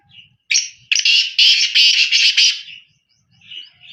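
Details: Loud black francolin call: a single harsh note, then a rapid rattling run of grating, scratchy bursts lasting about two seconds, fading at the end. Soft whistled notes follow, with faint low background noise.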